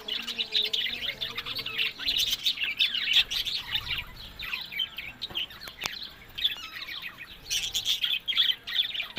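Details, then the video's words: Breeding pet budgerigars chatter busily, quick chirps repeated almost three times a second, building into dense bursts with short quieter gaps. "Buddies Parrot Voice"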